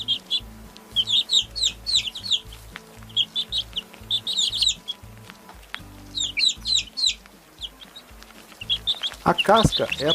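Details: Chick peeps in grouped bursts of high falling notes, about four per second, with low music and a louder lower-pitched sound at the end.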